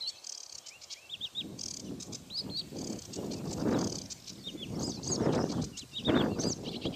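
A sedge warbler sings high, scratchy chattering phrases with quick repeated notes, partly masked by gusty wind.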